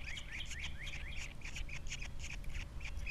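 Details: Osprey at a Captiva nest with three chicks, 21 February 2022, the male on the nest after the female leaves: a run of short, sharp whistled chirps rising and falling, repeated several times a second over a steady low wind rumble.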